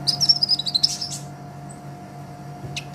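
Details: High, slightly wavering twitter from an olive-backed sunbird (Konin) in energetic song, meant as a master for teaching songbirds. About a second of fast notes, then near silence with two brief sharp chips; constant low hum.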